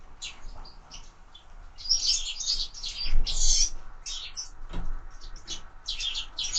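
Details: Window-feeder sparrows produce sharp, high chirps that start sparse and grow into busy clusters, with occasional soft knocks from the feeder.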